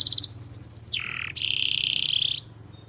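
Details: Canary pancingan song meant to get young or lazy canaries singing: quick bright chirps, then a lower buzzy note, then a sustained rolling trill that stops abruptly.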